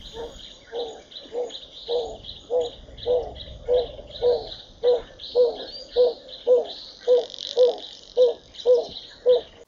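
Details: Narina trogon (Apaloderma narina) from Southern Africa calling: a long series of low, soft hoots, about two per second, growing steadily louder, over faint high insect or bird chatter.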